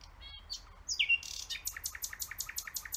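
A nightingale sings a few soft notes, then a loud pure whistle, and then a fast, dry, repeated trill of about eight notes a second.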